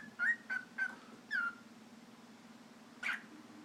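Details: A male pet cockatiel sings to a lighter, a run of short, sweeping whistled notes, then gives one harsh, raspy squawk, his angry sound when the lighter is taken out of sight.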